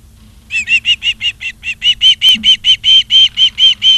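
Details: Ospreys at Charlo, Montana, filmed by a live nature cam on 28 August 2023 in the afternoon, giving a fast, steady string of around seventeen bright whistled yelps, loud throughout, with a soft background hum.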